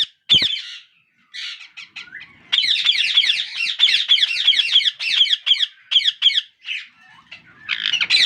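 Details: Baby ringneck parakeets begging for food, the father feeding each in turn; a few scattered squeaks, then a fast run of rasping, chattering begging notes, then scattered squeaks again.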